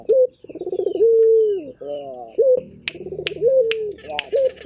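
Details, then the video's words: Local puter turtle dove from Indonesia, calling eagerly: throaty pulsed rolls melting into a long falling coo, then rising flicks, repeated closely, with a few sharp clicks near the end. "Burung Puter Gacor"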